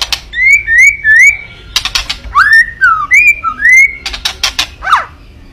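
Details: White-rumped shama singing a kretekan-style song meant to provoke a rival's anger: clear, rising whistled notes alternate with bursts of sharp, dry crackling clicks. The notes are slurred and about half a second long, with a final quick downward sweep.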